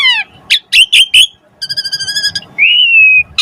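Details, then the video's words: Asian pied starling singing as a prompt for other starlings: a descending whistle, harsh chip notes, a short rattling trill, then a long steady whistled note "Jalak Suren Gacor Pancingan Burung Jalak Agar Cepat Mompa Gacor Full isian Mewah"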